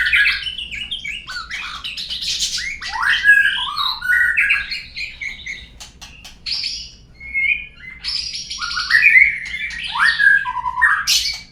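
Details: White-rumped shama song used as a lure to prompt other birds to sing: long rich medley of fluty whistles, sweeping slurs and rapid twittering phrases with brief pauses between bursts and a quiet background.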